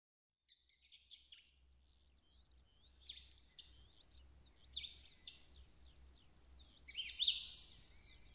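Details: Song thrush singing in woodland on 3 April 2020, a song likened to the Woody Woodpecker tune. Bright, high, chattering phrases come in short bursts about every two seconds, separated by brief pauses, over a low, steady rumble.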